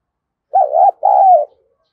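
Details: Spotted dove, thổ voice style, utters two joined coos: a wavering first note then a longer steady one sliding slightly down, mid-pitched and clear.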